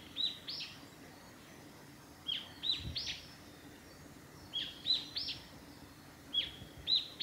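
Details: Japanese tit singing by Hayatogawa forest road, Lake Miyagase, Japan, 28 March 2020: a whistled two- to three-note phrase repeated four times about every two seconds, with a faint low thump.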